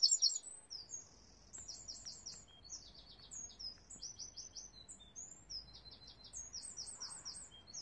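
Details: Wrens from a family nesting beside a window in a garden, 22 July 2021, second year running: rapid, high, tinkling trills and twittering phrases repeated almost without pause, with a faint steady background hiss.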